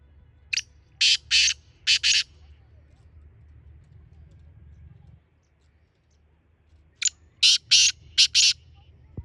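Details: Black francolin (kala teetar) calling twice: a phrase of about five rough, buzzy notes, several seconds of near silence with low hum, then another similar grating five-note series and a closing click.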